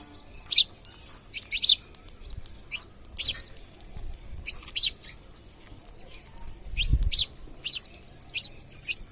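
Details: Wild parrots visiting a home give sharp, shrill screeching calls, about a dozen short bursts over nine seconds at irregular intervals, some in quick pairs, over a quiet background with faint low rumbling.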